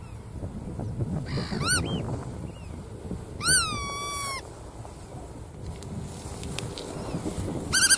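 Bar-tailed godwit giving a few nasal, down-slurred calls, one drawn out and levelling off, over a steady low rumble of wind or surf.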